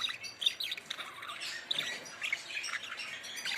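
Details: Budgerigars chattering in a continuous stream of short, bright chirps and warbling notes, several birds calling over one another with no pauses.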